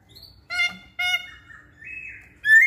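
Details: Masked laughingthrush song for luring other birds into singing: two short harsh squawking notes, then a drawn-out level whistle and a final loud rising note.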